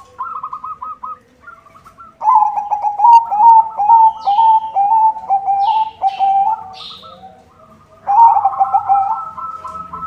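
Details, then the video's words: Singing white zebra dove (perkutut putih) with a good rhythm, used as a lure for all kinds of zebra doves: soft stuttering coo pulses lead into a loud, rolling, bubbling coo lasting several seconds, then a second loud burst; faint chirps behind. "SUARA PERKUTUT PUTIH GACOR irama bagus, untuk pancingan semua jenis perkutut"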